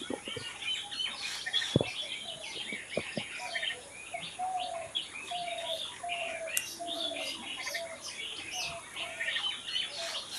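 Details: Natural birds chirping: a lively chorus of overlapping high twittering notes with lower whistled tones running beneath, and one dull thump early on.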